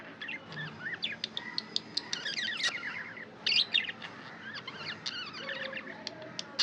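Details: Pet budgerigar chatter, dense chirping with many quick ticking clicks, sliding squeaky notes and occasional loud sharp chirps, near-continuous over a low steady hum.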